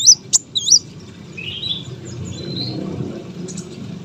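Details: Brown-throated sunbird, a competition bird kept for contests, singing high, sharp chirps and twisting whistled notes in a quick burst, then softer thin trills, over a low background rumble.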